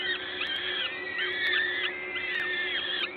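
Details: Nest of peregrine falcons at LOTOS, Gdańsk, Poland, 14 May 2022, 11:07, feeding under way: looping, arched whistled calls in three clustered bursts about a second apart, plus a faint steady hum.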